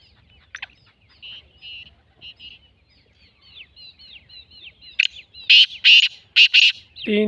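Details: Black francolin calling: a run of four or five loud, harsh, grating notes near the end, after softer chirps and downslurred twitters from small birds, then a brief low sound closing the sequence.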